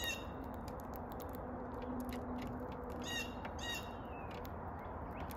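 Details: A house finch gives short, sharp chirps scattered irregularly through the clip, over a steady low rumble and a faint hum.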